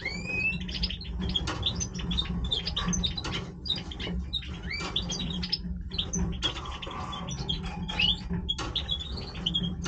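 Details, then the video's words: European goldfinch of the Major form in breeding song: a busy stream of sharp chirps, clicks and short upslurred whistles repeated through the passage, with a constant low droning hum underneath. "Stieglitz Major Breeding Voice - singing Goldfinch"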